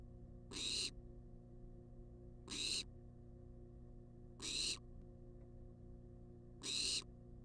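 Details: Food-begging wild barn owl in a research nest box: four harsh, hissing screech bursts roughly two seconds apart, steady background hum throughout.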